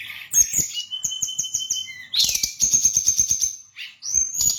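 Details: Bali brown-chested jungle flycatcher in full rapid song: a quick run of high repeated whistles over a steady thin tone, then a dense burst of fast ticking notes under a long piercing whistle, closing with a rising phrase.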